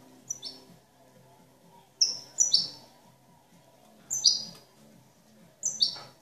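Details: European goldfinch, described as a clean, flawless master singer, giving sparse bright twittering notes in short bursts roughly every two seconds, with quiet low background hum.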